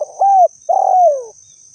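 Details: Spotted dove (tekukur) calling as a trapping lure: two soft low coos, the second longer and sliding gently downward, with a steady thin high electronic tone running behind.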